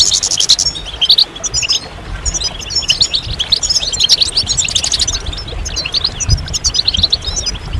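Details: Goldfinch chorus intended to encourage males to end their moult silence and sing: a thick stream of high tinkling notes and rapid twittered phrases from several birds, pausing briefly near the start, then continuing densely.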